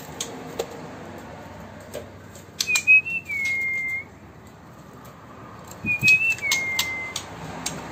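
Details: White-rumped shama of Sumatran origin, Bengkulu city, sings two similar phrases about three seconds apart, each a quick rising whistle that settles into a long steady note, with light clicks around them.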